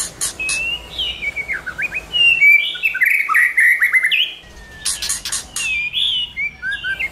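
White-rumped shama singing rich, varied whistled phrases with sliding notes and sharp chips, in a rapid, continuous stream over a faint background hiss.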